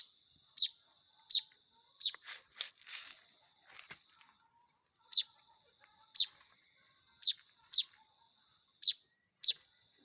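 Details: Weaver chicks being hand-fed, giving sharp, high chirps repeated at irregular intervals of roughly half a second to a second, with a brief burst of rustling, scratchy noise in between.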